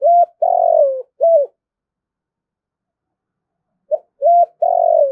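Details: Spotted dove giving an urging coo, used to lure wild doves in to fight: low, hollow phrases of a short note, a long slightly falling coo and another short note, then silence before the phrase returns.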